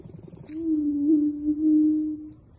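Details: Attwater's prairie-chicken, recorded close up in summer 2022, gives one loud booming note. A low, steady hollow hoot swells and holds for nearly two seconds with a slight waver, after a few soft low pulses.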